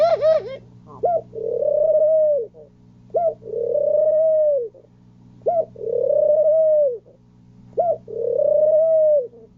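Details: Male pigeon cooing while mating: each phrase is a short bouncing note followed by a long, swelling, level coo, repeated roughly every two seconds, over a constant low electrical hum.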